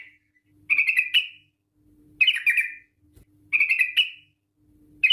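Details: Yellow-vented bulbul giving short bubbly warbled phrases, repeated about every 1.4 seconds with quiet gaps, from a lure recording meant to make bulbuls sing.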